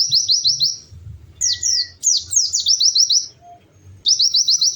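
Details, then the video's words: White-eye, known locally as pleci, in energetic song used as a lure to prompt reluctant birds to sing: rapid, very high trills of repeated downslurred notes in short bursts, broken by a pause and a thin steady whistle, over a faint low hum. "Kicau Burung PLECI GACOR MERDU"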